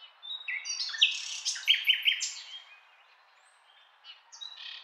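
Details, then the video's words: Common nightingale in song, delivering a dense, varied phrase of whistles and sharp repeated notes that ends in silence before a brief soft restart. "Nightingale Sound"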